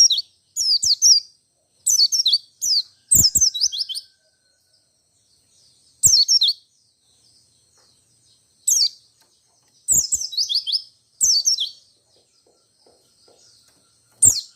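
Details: White-eye singing ngerol and nembak style song, said to get every white-eye that hears it to answer; many short bursts of shrill, fast, down-slurred twittering over fourteen seconds, with irregular pauses and faint clicks.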